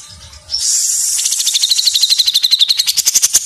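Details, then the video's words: Cucak jenggot, or grey-cheeked bulbul, in dense mesetan rapat song: a hissing buzz runs straight into a steady, accelerating run of sharp pulsed notes, about six per second. "Masteran Cucak Jenggot Gacor Mesetan Rapat"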